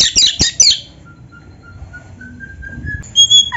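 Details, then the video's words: Oriental magpie-robin song meant to stimulate other kacer: rapid jumbled high notes, then a long series of soft, low, steady whistled tones rising slightly, ending with sharp high whistles. "SUARA BURUNG KACER GACOR FULL MATERI"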